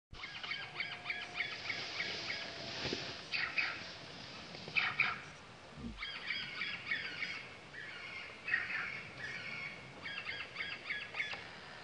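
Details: A male sultan tit (Melanochlora sultanea) at Latpanchar, Siliguri, Darjeeling, West Bengal, India, in February 2018, gives bursts of harsh, chattering notes, repeated every two seconds or so, over steady background hiss.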